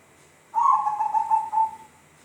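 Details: Zebra dove giving a strange call: one clear, soft whistled phrase of about 1.3 seconds with pulsing beats, gliding slowly downward and trailing off, over very quiet background.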